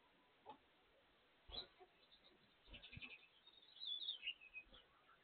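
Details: Domestic Gouldian finches singing while they feed: soft, high, thin chirps and a brief run of squeaky warbled notes, mixed with low thumps and rustling from the birds moving about.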